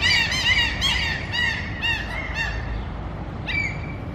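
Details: A run of loud, nasal, harmonic mewing calls from Mew gulls at food, repeated about twice a second, then a pause and one final high cry, over low rumbling background.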